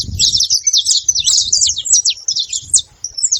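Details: Saffron finches in a group making noise together, a quick run of sharp high chirps and downward-swept notes, closely packed and uneven, over soft low background rumble.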